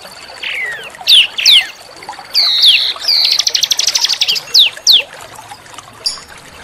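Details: Small bird singing a masteran training song for white-rumped shamas: scattered ringing whistles, rising and falling, broken midway by a dense buzzy rattle, over a steady faint hiss.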